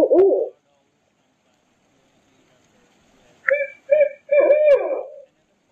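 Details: Barred owl giving a short wavering low hoot, then after a pause a run of three hooting notes with strong overtones, the last drawn out and sliding downward.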